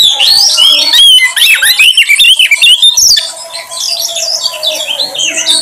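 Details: Oriental magpie-robin song used as a lure to draw out a kacer's repertoire. Dense, high, varied whistles and slurred notes, rapidly changing and overlapping, with sharp trills and squeaky phrases throughout.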